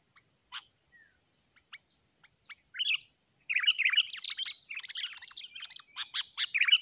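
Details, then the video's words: Sparse single chirps from a wild sooty-headed bulbul at a trapping site build into a busy stream of rapid warbled notes in the second half. "KUTILANG LIAR || Suaranya Gacor ngeplong"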